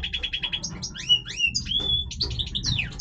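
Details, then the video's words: Major European goldfinch in breeding voice: rapid twittering song opening with quick repeated chips, then upward-sweeping whistles, a drawn-out clear whistled note and bright tinkling phrases. "Stieglitz Major Breeding Voice - singing Goldfinch"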